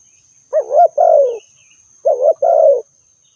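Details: Spotted dove giving two mellow cooing phrases, each a quick wavering two-part coo followed by a drawn-out descending croo, about one and a half seconds apart, over a constant faint high-pitched whine.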